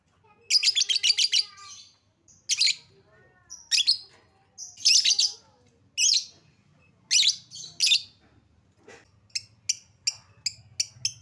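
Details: Lovebird lure meant to make lovebirds sing: rapid rattling chatter of harsh high notes in bursts, then a series of short clipped chirps.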